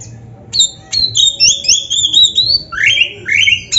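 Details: Kacer, the Oriental magpie-robin, singing in gacor style as a rival to excite lazy birds: loud high whistles, several long level and gliding notes in quick succession, ending with two lower rising sweeps.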